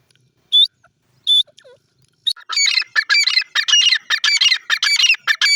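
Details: Black francolin (teetar) birds feeding: two short high piping notes, then a burst of harsh, buzzy, rapidly repeated chattering notes in a steady, dense series.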